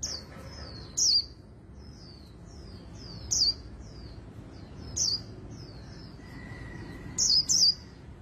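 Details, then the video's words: Oriental white-eye, voice-trained Vietnamese bird in the 'líu' contest style, gives spaced high slurred whistles, a few louder accented notes among softer ones, with a faint steady tone and background hiss. "Luyện Giọng Vành Khuyên Líu Đấu Siêu Nhanh | Khuyên Líu Kích Bổi | Khuyên Líu Giọng Chòe Chuẩn"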